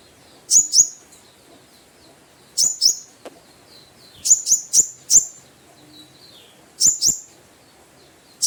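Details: Konin (brown-throated sunbird) calling to lure a rival: sharp, very high, downslurred chips given in quick pairs or short runs of three to four, separated by pauses of one to two seconds, against a faint background hiss.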